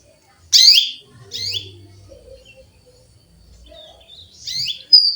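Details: Female canary calling for a male with sharp, rasping downward chirps, two close together, then a pause and a further chirp near the end, plus a brief thin whistle.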